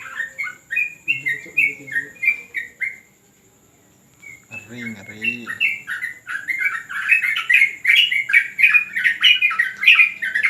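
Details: Terrace training session of a yellow-vented bulbul: quick warbled phrases, a short silence, a brief low nasal sound, then an increasingly dense, fast chatter of bright, rising and falling notes.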